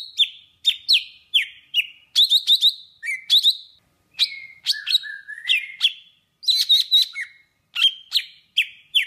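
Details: Golden-fronted leafbird from Vietnam singing a lure song used for trapping: a rapid, varied string of sharp chirps and slurred whistles, some descending, some rising, with brief gaps and no other sounds.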